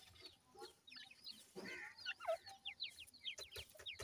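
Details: Feeding grey francolin chicks give clear, high, downward-sliding peeps in rapid series, interrupted by a short rustling burst and a few clicks.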